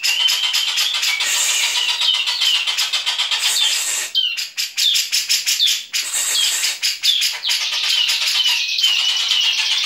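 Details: Dense, rapid chattering song of a grey-cheeked bulbul, high and continuous with sharp twittering notes and brief pauses, packed with sparrow-like squabbling phrases; a national champion competition bird.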